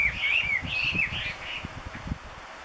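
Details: Chinese hwamei in Gunma Prefecture, Japan, singing loudly and busily, filmed with a Canon SX60HS or SX50HS camera: rich, varied whistled phrases sliding up and down, delivered in rapid succession over low outdoor background noise.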